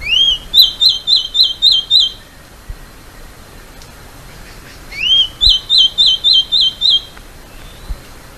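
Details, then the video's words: Two phrases of Masked gnatcatcher song, each opening with an upslurred whistle and running into six or seven fast, high, warbled notes, separated by a few seconds of near silence with faint taps. "balança rabo de máscara e seu lindo canto"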